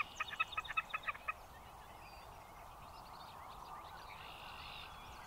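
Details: Wilson's snipe calling outdoors: a rapid series of about ten sharp, evenly spaced notes in just over a second, then fainter calls of other birds over a steady background hiss.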